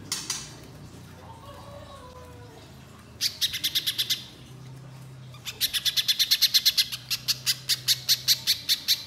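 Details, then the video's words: Little spiderhunter singing vigorously in long rapid 'nembak' bursts: sharp, high, clicking notes in two fast trains, about ten per second, the first about one second long, the second nearly four seconds, over a low steady hum. "Pijantung Pisang Gacor Nembak Panjang"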